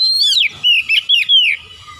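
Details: Oriental magpie-robin (kacer) singing a rich, loud whistled phrase of sliding, looping notes around high pitch, with a brief break mid-phrase and a faint low background hum.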